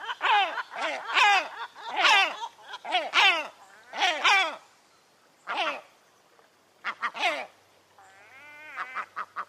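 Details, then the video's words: A European herring gull gives loud, harsh, laughing calls in quick stuttering bursts, each note falling in pitch, ending with a longer drawn-out wail. "Herring Gull Bird Sound Effect"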